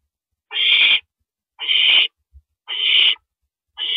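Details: At 1:11 AM on April 6, 2012, a male owl brings a rabbit to the nest; rough hoarse screeching calls, each about half a second long, repeated roughly every second.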